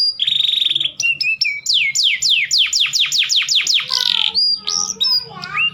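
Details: Domestic canary song used to raise breeding desire in males: a buzzy trill, then a train of about ten loud downslurred whistles, followed by chattering and sliding notes.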